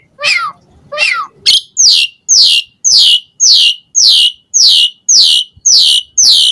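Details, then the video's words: Asian pied starling singing as a lure to draw answers from other starlings, giving loud harsh descending buzzy notes repeated almost twice a second in a steady series of about eleven. "Suara Jalak Suren Gacor Full Isian Mompa Unik Pancingan EMOSI Burung Jalak Auto NYAUT"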